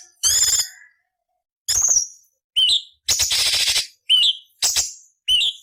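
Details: Cucak cungkok song used as training material for other songbirds: loud, bright bursts with rising whistled notes and harsh scratchy phrases, separated by short gaps.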